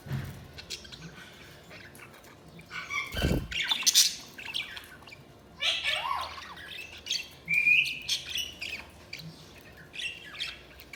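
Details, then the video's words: Budgerigars giving scattered chirps, squawks and short warbled notes over a low background hum, with a loud clatter near the start. "Budgies Sounds| Budgies Chirping sound"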